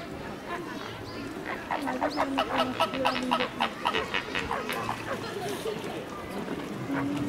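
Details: Captive lesser flamingos at Tobe Zoological Park, Ehime, Japan, on 25 March 2018, keeping up a busy chorus of nasal, honking calls, many birds overlapping in quick bursts, with a faint low hum beneath.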